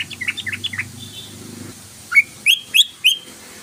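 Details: Yellow-vented bulbul (trucukan) lure sound used to make the bird sing quickly: soft chirping notes, then four loud, clear, upward-sweeping whistled notes spaced about a third of a second apart.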